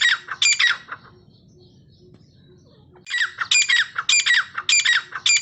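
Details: Repeated call of a grey francolin (dakhni teetar) recorded for training birds: two loud, rasping note clusters, a quiet gap of about two seconds, then the call resumes in rapid, rhythmic bursts.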